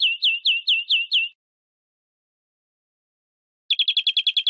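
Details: Six clear, falling chirps from a European greenfinch, evenly spaced, then a silence. A quick, rattling trill of short notes follows.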